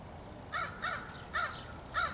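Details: Crow in a tree, recorded 27 July 2015, calling a series of four harsh, arched caws at about half-second intervals, the last slightly louder, over faint outdoor hiss.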